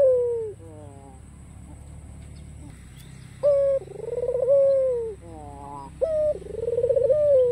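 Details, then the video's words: White ringneck dove with black neck ring, cooing to invite rivals to respond: a quiet opening, then two rolling coos, each a bright short note leading into a long tremulous falling phrase. "SUARA MERDU PUTER PUTIH KALUNG HITAM GACOR || MENGUNDANG LAWAN AGAR BUNYI"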